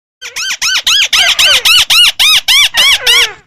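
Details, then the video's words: White-browed crake giving a loud, harsh series of about eleven arched, ringing notes at an even pace of roughly three per second over three seconds, with no other sounds. "Tiếng chim Mắt Xéo | The sound of Amaurornis Cinerea"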